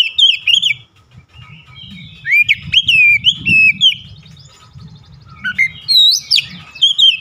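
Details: Oriental magpie-robin in sharp, wide-beaked song, fast sliding whistled notes and squeaky flourishes, over a noticeable low rumbling noise in the background.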